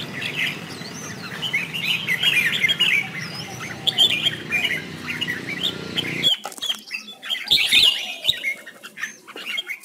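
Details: Red-whiskered bulbul in competitive singing, kept as a lure bird to train and stir other bulbuls into song: rapid chattering, warbled phrases in overlapping bursts, with a low droning background that cuts out abruptly partway through, followed by sharper scattered notes.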